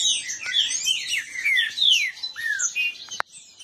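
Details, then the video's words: Green-winged saltators held in captivity, disputing in song: loud overlapping whistled slurs for three seconds, ending with a sharp click and a quieter tail. "Esquente seu trinca ferro disputa e baderna"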